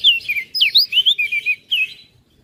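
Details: Loud 'gacor isian' song of a Flores crested white-eye, recorded as a training master: a dense chain of bright whistles sweeping down and up, about ten notes in two seconds, ending with a short trailing phrase.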